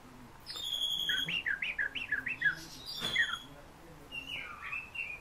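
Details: A fieldfare heard in a vocal-lesson recording gives a quick series of about eight repeated, bouncing whistled notes, then a sharp high note and softer warbling whistles.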